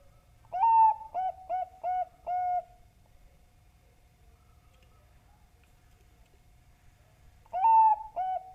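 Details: Bangkok-type zebra dove lure song for prompting doves to sing: a long opening coo and four quick short coos, about five seconds of quiet, then the phrase starts again.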